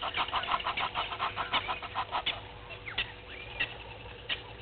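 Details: Wild red-billed hornbill searching for food beside Gowrie dam, Sabi Sand, South Africa, morning, March 2021: quick dry clucking notes repeat about once a second, then thin out into scattered softer calls.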